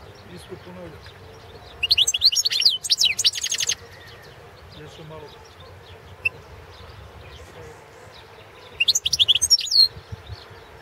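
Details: Carduelis carduelis balcanica goldfinch on a 2017 championship competition recording, singing two separate bursts of fast, high jangling twitters several seconds apart, with faint scattered chips between them.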